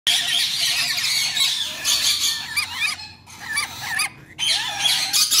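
Red-collared lorikeet giving harsh, shrill screeching calls in rapid, irregular bursts, with brief pauses between runs of noisy squawks.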